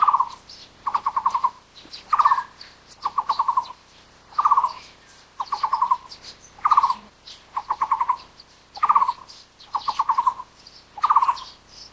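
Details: Taiwan barbet, endemic bird of low and mid elevation broadleaf forest, repeating low hollow rattling phrases of five to seven quick notes, steadily about every second for twelve seconds, with faint high twitters from other birds.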